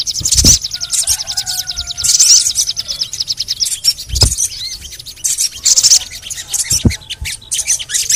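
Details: Sogon bird, lure audio for getting sogon to sing, with cuit-cuit calls: bursts of very high, rapid chattering trills repeating every one to two seconds, faint lower whistled notes early on, and occasional low thuds.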